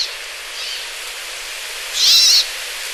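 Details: Brambling giving a single buzzy, wavering note lasting under half a second, preceded by a much fainter similar note, over a steady hiss.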